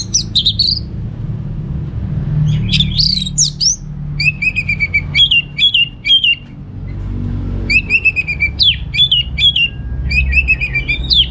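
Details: A caged orange-headed thrush in Singaraja, North Bali, delivers lure song in short runs of clear whistles, with repeated rising and falling notes in series. Low background hum throughout.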